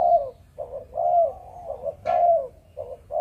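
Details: Close, loud cooing from a Malaysian spotted dove kept for breeding, 'Chụp Chụp Ô' style. Deep, smooth coos come in quick pairs, about one each second, with a brief click partway through.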